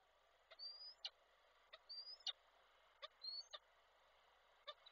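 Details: Peregrine falcon, a male arriving with a prey gift and calling the female, Koszalin, Poland, 16 February 2024. Three short high whistles that rise slightly, each followed by crisp clicking knocks, with quiet gaps between.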